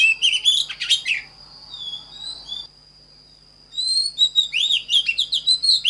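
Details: Oriental magpie-robin song offered for training magpie-robins to sing: bursts of sweet, varied whistled notes and slurred trills. A pause of about a second follows, then a longer run of rapid rising and falling whistles. A steady thin high tone persists throughout.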